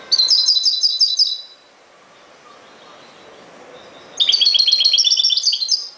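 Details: European goldfinch in ghoroub-style song, giving two bursts of rapid, evenly repeated high chirping notes about a second long each, separated by a pause of near silence.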